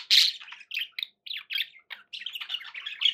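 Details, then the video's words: Pet budgerigars indoors: a loud opening squawk followed by a series of short, buzzy, chattering notes and squeaks in quick succession. "11 hours of budgie sounds"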